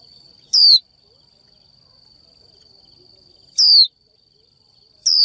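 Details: Female Japanese white-eye calling to a male: loud, sharp, high 'chiu' notes that slide downward, repeated about every three seconds, with a faint steady high whine in the background.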